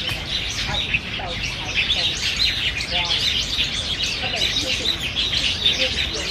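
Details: Black bulbuls feeding competitively on banyan figs, Niaosong Wetland Park, 4 November 2015, filmed on a Canon PowerShot SX700 HS; continuous high chattering and squeaky slurred notes from many birds at once, a few lower mews beneath.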